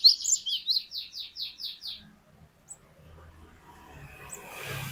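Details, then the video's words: Glatik batu, the cinereous tit, giving a rapid series of about eight high repeated chirps for two seconds, after which birdsong fades and a rising rustling noise takes over. "Glatik Batu Gacor Glatik Batu Bahan Auto Ngeplong Wucit Wucit Panjang"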